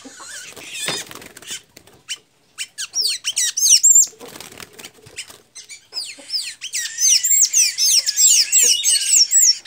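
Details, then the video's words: Blue-gray tanager in Santa Inês, Maranhão, Brazil: after scattered rustling and faint notes, the bird breaks into a fast, continuous series of high squeaky swooping notes for the last several seconds. "Pipira azul cantando muito"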